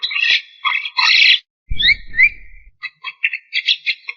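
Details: Black-winged starling singing with few pauses: loud rasping phrases, then two rising whistles over a brief low thump, followed by a run of short, clipped chattering notes.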